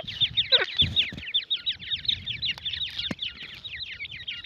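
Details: Dakhni teetar (francolin) chicks giving dense, high peeping chirps, short rising-falling notes tumbling over one another almost continuously, with a few low thumps and handling knocks.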